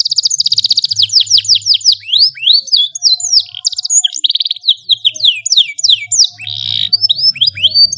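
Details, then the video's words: Canary with an energetic long song for teaching young birds, packed with fast trills and a rapid string of rising and falling whistled notes, almost unbroken for eight seconds. "KENARI GACOR SUARA PANJANG SYAHDU MASTERAN PAUD"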